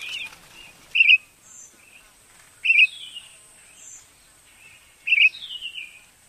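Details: Common starling song given as sharp, rasping bursts about every two seconds, each trailing into a softer descending whistle, with thin high whistles in the gaps against a quiet background.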